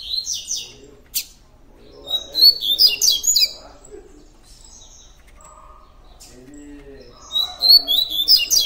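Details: Double-collared seedeater performing its tui tui song: short high chirps, then a fast run of sharp, twittering notes, a quiet stretch with faint low murmuring sounds, and another rapid high phrase at the end.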